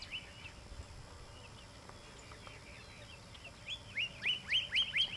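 A Pyrrhuloxia gives a quick run of five clear, slurred whistled notes, each bending sharply, after a few fainter distant notes over soft background hiss.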